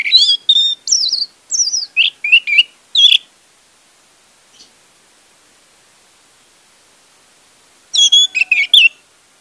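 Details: Lure song of an orange-headed thrush meant to prompt a silent bird to sing: quick varied whistles and rising slurs packed for three seconds, then silence, then a fresh burst of similar bright phrases.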